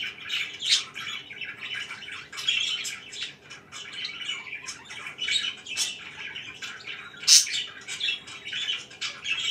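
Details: Budgies kept as pets chirping in the morning: continuous scratchy warbling and quick chirps, with louder squawky outbursts and one sharp high squeak late in the sequence.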